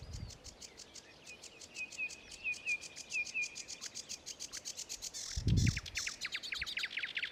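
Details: Sedge warbler song recorded at Ilmatsalu, 26 May 2017: a fast, dry chattering stream of clicks with a short run of repeated slurred notes, then harsher rapid stutters; one low thump midway.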